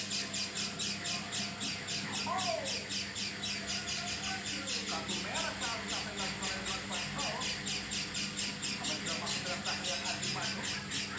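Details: Unusual-sounding oriental white-eye call: a continuous series of scratchy, buzzy bursts about two per second, with a few lower sliding sounds mid-clip and a steady background hum.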